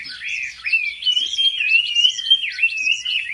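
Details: Chinese hwamei performing competitive song at home: a continuous, bright, bubbling warble with quick wavering trills and no pauses.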